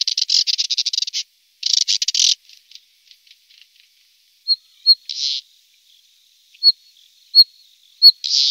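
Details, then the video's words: Moussier's redstart in full voice. Dense bursts of fast, high, buzzy twittering give way to sparse, thin, sharp whistled notes, spaced a second or more apart, ending with another scratchy burst. "BIRDS VOICE : The Moussier's redstart BIRD"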